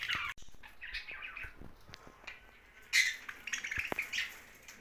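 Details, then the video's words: Young budgerigar giving scattered squawks and chirps, quieter harsh notes with clicks and knocks between, louder chatter near the end. "Young Budgie's Sound's"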